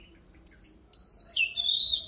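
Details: Oriental magpie-robin song for competition voice training: a falling whistle, then long, pure, level whistled notes gliding slightly downward, with a faint hum beneath.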